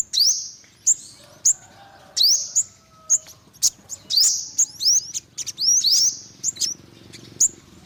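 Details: Olive-backed sunbird calling with a rapid series of sharp, high, thin chips and short rising notes, given in irregular bursts roughly every half second over a quiet background.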